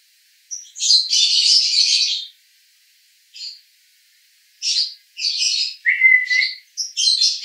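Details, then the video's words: Male lovebird singing konslet 'roda gila' style, Cibinong, Bogor: a loud buzzy chatter burst lasting over a second, a short chirp after a silence, then clustered shrill twitters including a brief low whistle. "Master Lovebird Jantan Konslet RODA GILA"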